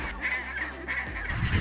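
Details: Huge chinstrap penguin (Pygoscelis antarcticus) colony of about 100,000 nesting birds with eggs at Baily Head, Deception Island, South Shetland Islands, Antarctica: harsh, overlapping braying and squawking calls over a steady low rumble of wind.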